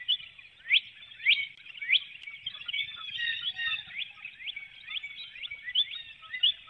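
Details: Female bald eagle calling as she flies out of her nest through a woodlot before dawn, Hanover, Pennsylvania, 12 April 2019, picked up by a nest webcam. Sharp, high descending chirps repeat irregularly, mixed with softer twittering.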